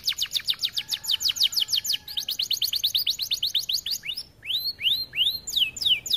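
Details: Canary in energetic tutor song: long rapid trills of sharp ticks changing pace midway, then slower, looping whistled swoops.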